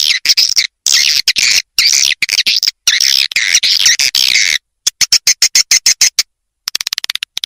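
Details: Edible-nest swiftlet attraction call for bird houses in swiftlet farming: buzzy high twittering phrases separated by short pauses, followed by a quick series of crisp clicking chirps.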